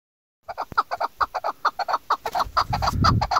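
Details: A female chukar partridge (Alectoris chukar) calling, in a hunting context: quick clucking chuk notes, about six a second, in an uneven run; low rumbling wind or handling noise builds near the end.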